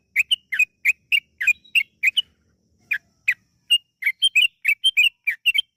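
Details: Yellow-vented bulbul in sustained, fast song used to prompt other birds to sing: a steady string of short gurgling notes, a few paired, with a short gap after the first eight.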